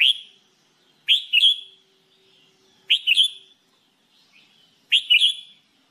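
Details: Red-whiskered bulbul, or jambul bulbul, in singing training, delivering short double-noted whistled phrases, a sharp rise then a lilting second note, repeated about every two seconds.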